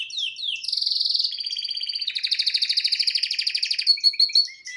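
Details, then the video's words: Male canary, a pet singing live before a television, delivers loud rapid rolling trills at a steady pulse, shifting pitch between phrases and ending with short separate chirps. "Best Canary singing live"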